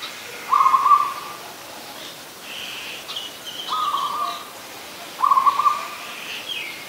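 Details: Recorded in Ubon Ratchathani, Thailand, on 24 December 2020, an adult zebra dove repeats short rolling trilled coos about every two seconds, with fainter higher bird notes in between.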